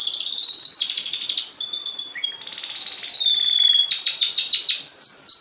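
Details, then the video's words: Canary song in a vertical training setup where the teaching bird sits below the learners: varied high phrases of whistled notes, rapid buzzy trills and pulsed rolls changing every second or so. "دليل نجاح الطريقة العمودية في التلقام (كناري، مقنين، ألخ)"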